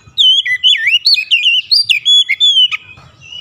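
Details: White-rumped shama song used as a lure to trigger other shamas to sing: rich, loud whistled phrases looping up and down, rapid varied notes over about three seconds, fading into faint background hiss.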